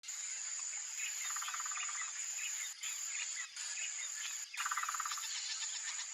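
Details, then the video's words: A male Blue-crowned Trogon in Brazil, vocalizing in the breeding season to mark its territory, gives two quick runs of soft, even notes, each about half a second long, under a loud, steady high-pitched insect drone. "BLUE-CROWNED TROGON: Male Vocalizing!"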